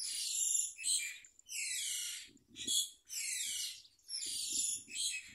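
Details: Young myna begging as a parent brings a large blue caterpillar into its mouth; loud, harsh, hissing screeches in long drawn bursts with short gaps, faint low rustling beneath.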